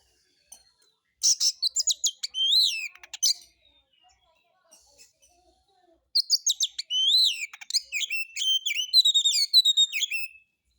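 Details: Kacer, the white-rumped shama, in a lure song of harsh material to spur other birds into song; two dense bursts of clear whistles, sweeping slurs and quick clicks, a quiet gap between them.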